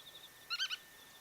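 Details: A Black-tailed godwit, a passage migrant recorded at Kawagoe or Yonaguni Island, Japan, gives three quick, nasal, reedy notes in under a third of a second over a faint, steady hiss.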